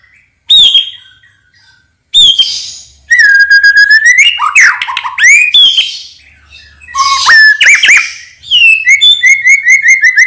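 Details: White-rumped shama, morning song to encourage other birds to sing: isolated sharp notes, then flowing whistled phrases with rising slurs, ending in a fast repeated series of bright whistled notes.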